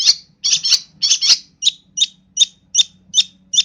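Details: Long-tailed shrike from East Java singing with imitated phrases. Scratchy doubled notes give way to evenly spaced, sharp high chips about every third of a second.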